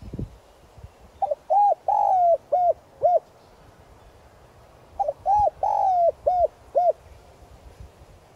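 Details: Spotted dove decoy bird, 'giọng son' voice style, calling to lure and excite wild doves. Two mellow phrases a few seconds apart, each starting with soft rising hoots, swelling into a long slurred coo, then ending in brief clipped coos.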